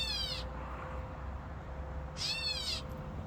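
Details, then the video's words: Catbird calling in fig trees: two harsh, wailing, cat-like mews, each under a second long and rich in overtones, over a steady low background hum. "Cat bird making sounds"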